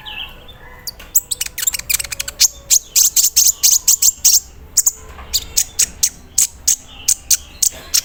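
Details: Captive sunbird set out in the morning dew, singing a dense run of very high, sharp chirps and chattering trills. The song carries mimicked phrases likened to an embroidery machine's rattle, with short bursts repeated quickly and brief pauses between.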